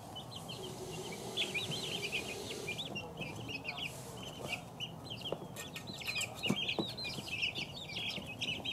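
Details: A group of two-week-old chicks keeps up a steady chorus of shrill looping peeps, thickening after the first few seconds, with faint clicks and a soft low rumble underneath.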